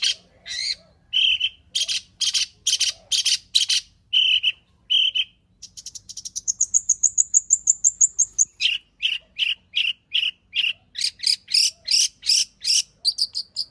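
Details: Long-tailed shrike with a full repertoire, played to draw out singing: loud rhythmic harsh notes, then a long accelerating series of thin high ticking notes, then a fast run of repeated chirps.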